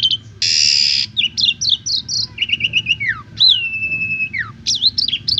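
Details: Asian pied starling song meant to teach other birds varied phrases. It opens with a loud harsh rasp, then choppy chattering notes, a long steady whistle that drops away, and sharp squeaky notes at the end.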